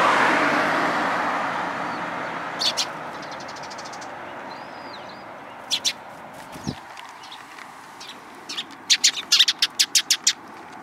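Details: Sparrows coming close to be fed at the front approach of a Tenmangu shrine on 10 April 2022: short sharp chirps, a few scattered and then a quick run of about eight near the end, over steady traffic rumble that is loudest at first.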